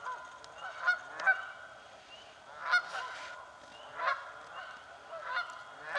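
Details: Canada geese quarrelling over nesting spots in a swamp, loud brassy honks coming irregularly about every second or two, with quieter calls between.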